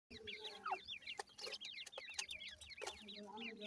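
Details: Grey francolin chicks feeding, giving a fast series of thin, high rising-and-falling peeps, several chicks calling over one another with scattered clicks and taps between calls.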